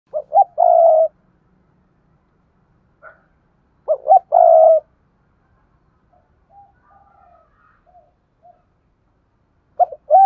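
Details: Spotted dove lure bird giving its urging and calling coos, as it does daily: two bursts of short soft coos running into a longer vibrating note about four seconds apart, faint coos between them, and a third phrase starting at the end.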